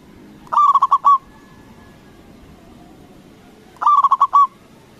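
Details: Zebra dove of a local strain with a big voice, played to rouse rival doves into replying; two bursts of rapid, bubbling coos, each a string of five or six short notes ending in a longer one, separated by quiet.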